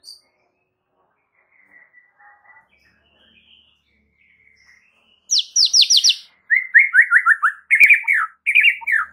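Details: White-rumped shama master song meant to make other shamas respond: faint soft notes at first, then a rapid buzzy high series followed by loud downslurred whistles repeated in quick groups.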